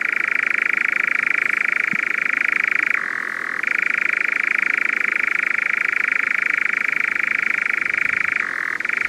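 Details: European nightjar, a crepuscular insect-eating bird in Portugal, churrs in a long, unbroken insect-like mechanical trill, like a distant motor, dropping briefly to a lower pitch twice before resuming.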